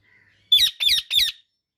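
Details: Three loud, rasping squawks from an Indian ringneck parakeet in quick succession, each note grating and buzzy, with a faint thin whistle just before them.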